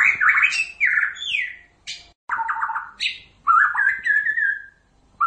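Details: White-rumped shama, Copsychus malabaricus, of the Pasaman type, singing loud varied phrases: rich sliding whistles, rising and falling notes, a buzzy trill and a long clear whistled slide, with short pauses between.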